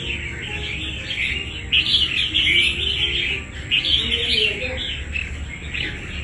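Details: Wild red-whiskered bulbul competing in a song fight, giving bright, busy warbled phrases in loose bursts with short gaps, over a soft low drone.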